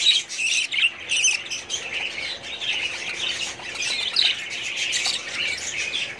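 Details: Budgerigars chattering in their breeding colony, 2017; a busy wash of scratchy chirps and squawks from several birds, with a few louder bursts near the start and middle.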